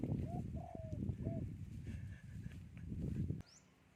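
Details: Wild spotted dove of the three-coo singing style, giving three soft, low coos, the middle one drawn out, over a steady low rumble of wind. A brief high chirp is heard near the end.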